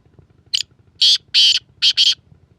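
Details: Black francolin calling: a series of harsh, grating, buzzy notes, one short note then four longer rasping bursts in a broken rhythm, over a faint low hum.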